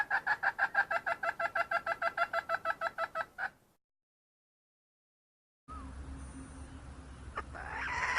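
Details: Wild red junglefowl hen clucking rapidly and regularly, about three notes per second, for several seconds; after a silent gap comes a steady hum with scattered other noises.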